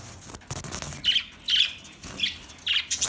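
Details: Budgerigars giving short, bright chirps in a series of four spaced about half a second apart, each a clipped squeaky note, over light background chatter.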